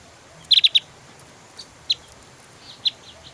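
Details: Javan grey-throated white-eye in 'tembakan' song style: an opening burst of four loud, piercing chips, then scattered single softer high notes.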